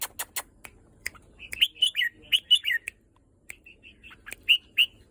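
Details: Red-whiskered bulbul singing loud, rich whistled notes in short bubbling phrases, broken by sharp clicks and a brief pause before two more emphatic whistles.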